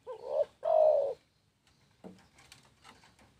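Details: Spotted dove giving a short low coo then a longer sustained coo, followed by faint rustling and knocking noises.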